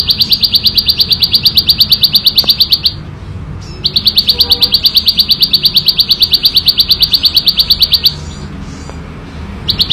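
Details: Loud, clear ngebren song of a wild bar-winged prinia: long bursts of fast, evenly spaced high chips, roughly seven a second, broken by a short pause and resumed, over a low background hum.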